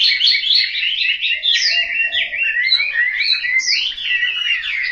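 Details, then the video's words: Home-kept Chinese hwamei in Hanoi, Vietnam, delivering an energetic caged song: rapid warbling interspersed with clear upslurred and downslurred whistles, loud and unbroken throughout. "Họa mi"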